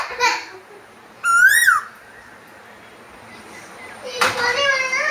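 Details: Asian koel singing one loud whistled note that rises and then drops back, with short voice-like sounds before and after it.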